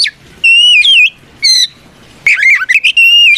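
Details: Provocative fighting song from an Oriental magpie-robin: a sustained whistled note sliding slightly down, a short buzzy burst, then a fast warbled run of fluting notes.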